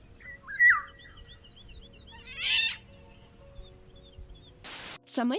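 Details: Eurasian golden oriole in Ukraine gives a short, fluty, slurred phrase, then a scratchier burst, with faint background chirps, a brief voice and a noisy sweep at the end.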